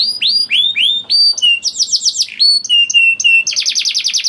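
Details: Lure song of a 'gacor' canary meant to prompt other canaries to sing: clear upward-sweeping whistles, then high repeated chips, steady piping notes and a fast rattling trill.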